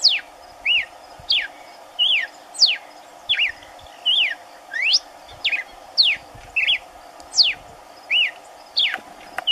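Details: In the caatinga, an unseen red-cowled cardinal (Paroaria dominicana) sings in the background while another feeds on corn on the ground: clear whistled notes, sharp downslurs alternating with short curling phrases about every second, over a soft steady hum.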